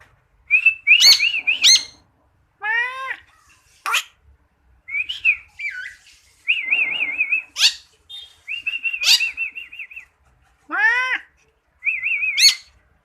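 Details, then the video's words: Black starling kept as a pet by a Quran teacher, singing and mimicking other birds and human voices: trilled high notes, repeated rising upward-swept whistles, sharp squeaks and buzzy rattling phrases in bursts over about thirteen seconds. "BURUNG JALAK HITAM(bull black starling)BERKICAU DAN BERSUARA MANUSIA"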